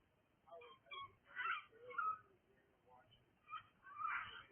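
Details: Cockatiel making noise: several harsh, screechy calls in uneven bursts, roughly one every second, with softer chatter between.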